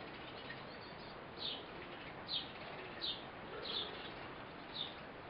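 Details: During the feeding of a fledgling by its parent, a Eurasian blue tit gives five sharp, high, thin notes spaced roughly a second apart after a quiet opening, over a soft noisy background.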